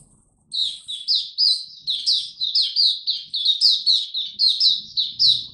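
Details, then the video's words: Maturing song of a young male white-eye, dated 9 February 2022: after a brief pause, a steady stream of high chirpy, slurred phrases repeated almost once a second, bright and warbling, over near silence. "Mata Puteh Dagger Video 1 buka sing tiong aw studying his progress n maturing"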